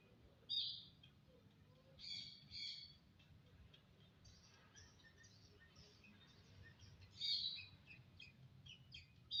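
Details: Starling song of short bright squeaky bursts and buzzy notes, spaced by pauses of a second or more, with a few soft lower whistles and a steady faint background hum.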